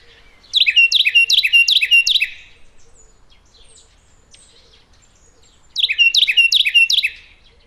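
Wren song: two loud, fast bursts of repeated high trills and chips, each under two seconds, separated by a few seconds of near silence.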